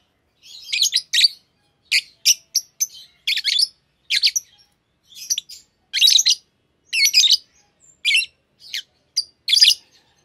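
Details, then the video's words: Green Fischer's lovebird pair kept as pets giving a long run of sharp, buzzy chirps, each burst brief and shrill, spaced roughly every half second to a second. "Lovebird Singing & Chirping Sounds - Green Fischer Pair"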